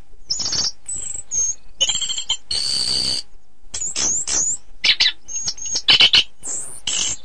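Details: Orange-headed thrush song for teaching contest birds: a quieter passage of high, thin whistles and buzzy bursts, with some raspy noisy notes mixed among very high-pitched phrases.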